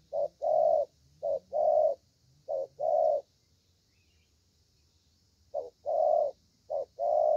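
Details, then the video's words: Spotted dove, a young bird with a good voice, gives 'thổ'-style cooing: paired phrases of a brief note then a drawn-out coo, three pairs, a pause of over two seconds, then two more pairs. "Thổ Tơ Tốt Tiếng"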